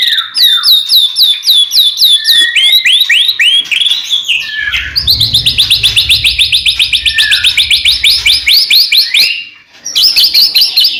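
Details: White-rumped shama song for prompting other shamas to sing: series of rising whistled notes, then a long fast trill of repeated high strokes, ending after a brief pause with more rapid notes.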